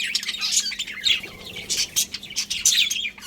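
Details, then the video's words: Busy twittering from a budgerigar colony: quick, bright, high chirps and whistled notes in clustered bursts from several birds at once, faint steady hum behind. "Cute Budgies Chirping Sounds"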